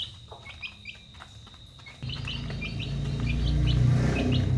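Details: Domestic chicks at dinner time, peeping in short, high, downward-slurred notes repeated several times a second; a loud low rumbling noise sets in partway through.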